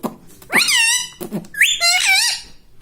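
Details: Pet rose-ringed parakeet saying words in a human-like voice: two loud, drawn-out harmonic syllables, the first rising and then level, the second wavering, with soft clicks between them.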